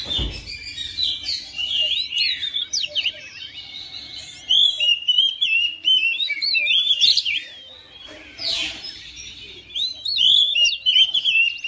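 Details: Oriental magpie-robin kept as a house bird, singing back to another bird: fast, varied whistles and churring notes at roughly three per second, with a few loud rasping bursts and short quieter gaps.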